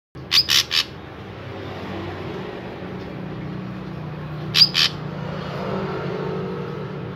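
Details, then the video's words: Drongo in full song, used as a lure to get other drongos singing: a quick triple of harsh, broadband rasping notes with thin high chips, then a pause before two more raspy bursts, over a low steady background hum. "Burung Srigunting Gacor I Ampuh Untuk Pancingan Burung Srigunting Agar Ikutan Gacor"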